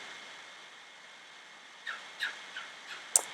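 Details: A pet cockatiel calling in the background at home during indoor painting, giving a quick series of shrill, chirping calls over a steady indoor hum.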